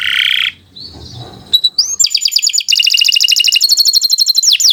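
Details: Canary in vigorous song, used to stimulate other canaries: a rough, noisy start, then a rising whistle leading into a dense, fast, buzzy trill of high repeated notes.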